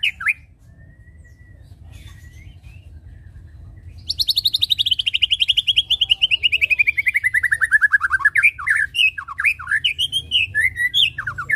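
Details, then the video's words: A white-rumped shama, used as a lure sound to make shamas settle and perch, gives a fast, rattling series of notes sliding steadily downward, then loud varied whistles, over a low steady hum. "Pancing bunyi burung Murai batu suka ngetem"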